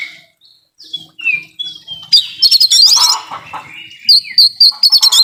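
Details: Kacer (Oriental magpie-robin) in 'nembak full isian' song to coax a lazy bird into singing: soft descending whistles first, then loud high chattering trills and quick repeated sharp notes near the end.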